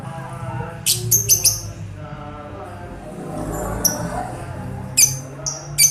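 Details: A baby lovebird in a flight cage, being trained with master song recordings because it had stopped singing, gives shrill, high chirps in quick clustered bursts over a steady low musical hum.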